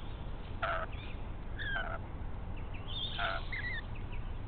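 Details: Rainbow lorikeets, a chatty pair, raid the nest of a pied currawong, with no eggs or chicks present yet. Several rasping screech bursts come roughly a second apart, mixed with short squeaky notes, above low rumbling noise.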